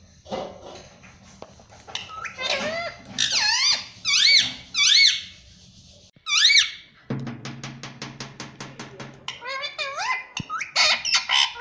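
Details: Talking pet parrot imitating words like mummy and papa with loud, squeaky, swooping harmonic syllables in bursts, while a rhythmic drumming beat plays in the background partway through.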